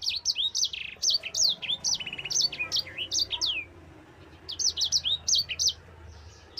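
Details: Long rolling song of a caged Mozambique canary, used for training other birds: quick series of high, sharply inflected whistled notes in two phrases with a short lull between them.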